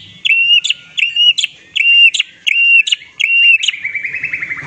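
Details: Song of a white-rumped shama, used to excite rival shamas into answering: a high whistled note with a sharp click, repeated about once every three-quarters of a second, then a quick descending trill of rapid notes.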